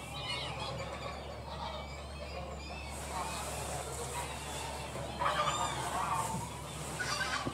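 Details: Tundra bean geese at Oelemars, Netherlands, give overlapping nasal honks that swell into a louder chorus near the end, over a steady low rumble like distant traffic.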